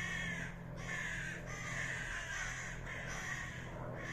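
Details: A fight among common ravens: coarse, drawn-out croaks about one per second, each harsh and buzzy, overlapping with further rasping voices.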